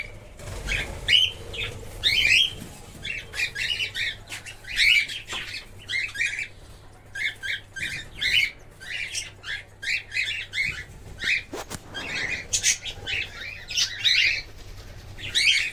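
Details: Many cockatiels in a breeding colony chatter together in a steady stream of short, bright chirps and rasping squawks.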